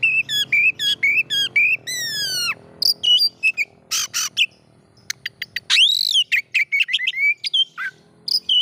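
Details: Oriental magpie-robin singing to provoke rival magpie-robins, opening with repeated quavering whistles and fast descending frequency sweeps, then harsh buzzy notes, short clicks and loud arched whistles, with a faint low hum beneath.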